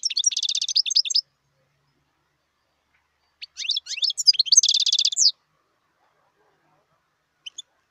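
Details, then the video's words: Wild European goldfinch: two phrases of fast, high twittering with a dense buzzy trill, separated by a pause, then a couple of faint brief notes at the end. "صوت الحسون البري"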